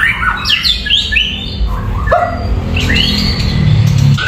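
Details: White-rumped shama singing clearly and melodiously: sweet slurred whistles falling and rising in quick varied phrases over a steady low rumbling background noise.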